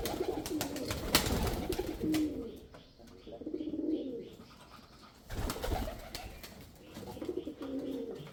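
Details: Male pigeon cooing in low, throaty, rolling phrases that swell and fade, four bouts spaced about two seconds apart, with sharp clicks and knocks between them.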